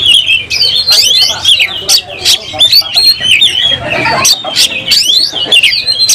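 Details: Oriental magpie-robin singing while fighting, spreading its tail and showing agitation; loud, continuous run of varied whistles, chirps and rapid trills with sharp clicking bursts throughout, and a low murmur underneath.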